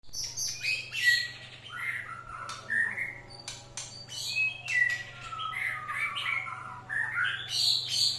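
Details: White-rumped shama singing, played to provoke other birds: varied whistled phrases and chirps between about one and eight kilohertz, some sharp rising notes, with a steady low hum beneath throughout.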